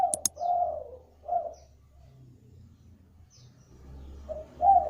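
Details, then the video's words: Spotted dove, a calling bird played to lure other doves into calling, delivering low hollow coos at the start, a single note after a second, then a fresh two-part coo near the end over a faint low hum. "pancingan burung deruk agar cepat bunyi"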